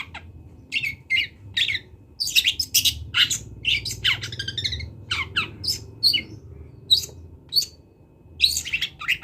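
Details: Long-tailed shrike, local Kendal bird, in varied song with imitated notes: sharp descending chips and scratchy bursts spaced irregularly, a dense chattering run mid-way, over a quiet low hum.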